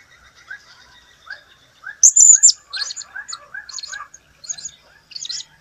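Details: ['Blue-crowned hanging parrot recorded in 2015. It gives a loud burst of shrill, high squeaks followed by a string of shorter, scratchy high notes. Busy lower twittering from other birds runs underneath.']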